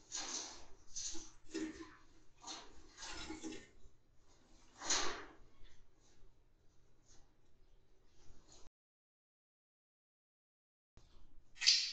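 Indoor handling noise, with broadband rustles, knocks and a sliding-door sound, then a silent gap and a final clatter; no clear animal voice.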